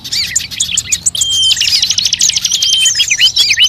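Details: Many birds calling together in a lure recording for attracting birds: quick twittering phrases lead into a long, rapid, even trill, then looping chirped notes, with a faint low hum beneath.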